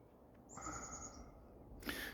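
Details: A chickadee gives one thin, very high whistled note held for under a second, likened to "cheeeeeseburger", then a brief sharp rustle over a steady low hiss.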